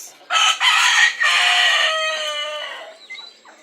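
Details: Domestic yard fowl calling noisily at bedtime as they settle to roost: loud, harmonic, drawn-out crowing-like calls with stacked overtones, strong for about two seconds, then fading into softer trailing clucks.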